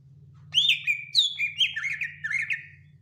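Greater green leafbird singing a rich, fast run of slurred whistles and chattering notes lasting over two seconds, over a steady low electrical hum.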